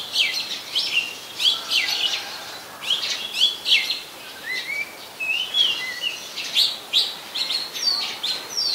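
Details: Song of the Oriental magpie-robin, a very common resident of Ubon Ratchathani, Thailand, 24 December 2020: varied sweet whistles and upslurred notes repeated in quick phrases, with some quieter lower whistles in between.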